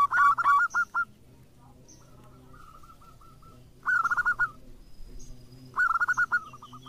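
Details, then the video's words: Local zebra dove, a lively caller used as a lure to prompt other doves to sing: three bursts of rolling, trilled cooing notes at mid pitch, each about half a second to a second long, separated by quiet gaps. "PERKUTUT LOKAL GACOR COCOK UNTUK PANCINGAN"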